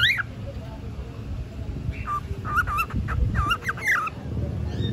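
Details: Pet cockatiel, bored and starting to talk, gives a run of warbled whistled notes that rise and fall at mid pitch, several short phrases packed into a few seconds over a steady low indoor rumble.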